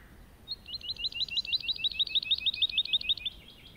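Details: Over a meadow a soaring lark delivers a fast, even trill of high, repeated twisting notes, about three a second, rising in volume then tapering off after almost three seconds of continuous song.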